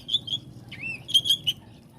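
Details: Oriental magpie-robin giving short whistled notes, a downward-curving slur, then a few loud sharp whistles, over low background hum.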